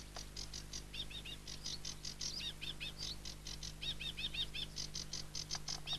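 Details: Aquatic warbler song: fast series of dry, buzzy rattling notes alternating with groups of lower, slurred, hooked whistles repeated two to four times, continuing throughout against a constant low droning hum.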